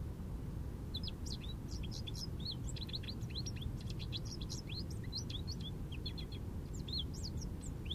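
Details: American goldfinch perched in an Eastern Red Cedar, singing jubilantly: a long, continuous run of bright, high twittering and swooping notes, varied and rapid throughout, with a constant low rumble underneath.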